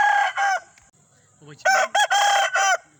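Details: Aseel roosters crowing: short harsh crow bursts, a brief pause with faint sounds, then several loud broken crow phrases in quick succession.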